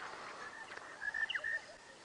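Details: Oxpeckers heard at dawn during a March bush walk at Djuma Game Reserve, South Africa, possibly signalling animals nearby: a quick series of short, flat, buzzy notes, about five in half a second, over quiet rustling.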